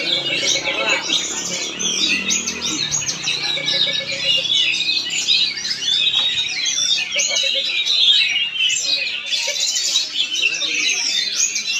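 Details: Oriental magpie-robin performing in Palangkaraya, Central Kalimantan, delivering a dense, continuous stream of rapid, varied whistles and chattering phrases with barely a pause; soft voices murmur in the background.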